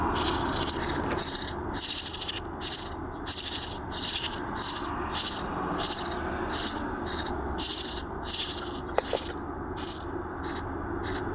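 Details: Eurasian tree sparrow nestlings calling from inside a nest box: bursts of high, thin, rasping cheeps repeated about every half second to second over eleven seconds, with a low background hum.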